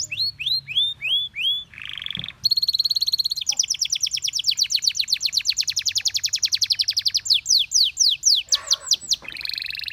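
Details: A Gloster canary sings to draw other canaries into song, opening with repeated hooked whistles, then a long even trill of rapid high pulses lasting several seconds, ending in swept notes.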